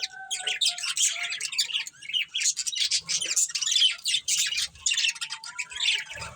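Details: Breeding pair of pet budgerigars chirping indoors: dense, scratchy high twitters and squawky chatter run almost continuously, with brief pauses and a few thin whistled notes underneath.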